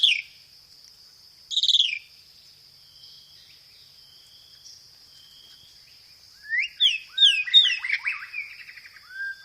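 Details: White-rumped shama song with sparrow-fight fill-ins and rapid roll-tembak phrases, used to provoke and tutor other shamas: a steady high whine for six seconds with one brief burst, then loud downslurred whistles and chatters near the end.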